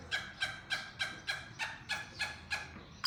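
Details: Black francolin (kala tetar) delivering a harsh, rapid run of buzzy clucking notes, about three or four a second and evenly spaced, over faint low background hiss.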